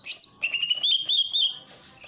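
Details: Greater green leafbird from Ujung Kulon in a masteran recording with a water fountain: one bright falling note followed by a long, continuous rippling whistled warble.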